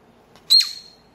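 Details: Pet cockatiel playing peek-a-boo indoors, poking its head into a paper tube; one sharp, high chirp with a short, fading whistled tail, in an otherwise quiet room.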